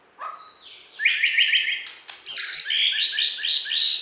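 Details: Bornean white-rumped shama, a contest-champion bird from West Kalimantan, singing a rich, fast run of bright whistled and chattering phrases, rising and falling, with a sharp click between sections.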